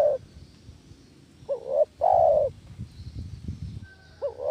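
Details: Dove-catching lure sound of a spotted dove. A rising double note is followed by one long, full coo, then the pattern restarts. Low rustling and thumping noise sits between the calls.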